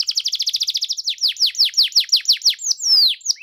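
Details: Canary in full song, used to prompt a reluctant canary to reply: a rapid run of repeated chirps speeding into slower, ringing downward sweeps about five per second, closing with a long falling whistle.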